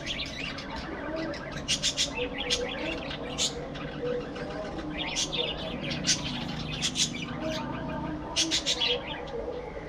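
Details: Budgerigars of a breeding colony in an aviary chatter together: dense, overlapping sharp chirps and warbled notes come in bursts over a steady murmur, with many birds calling at once.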